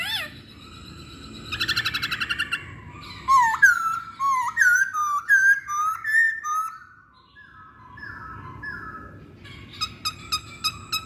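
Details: Lure recording of a masked laughingthrush meant to make others sing: a rising whistle, a quick trill of rapid notes, then varied looping whistled phrases and slurred notes, trailing off into soft hum with a few sharp clicks at the end.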